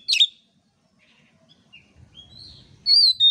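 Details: Oriental magpie-robin in a training recording for other birds: one loud harsh burst, a near-silent gap with faint high notes, then clear sustained whistles climbing toward the end.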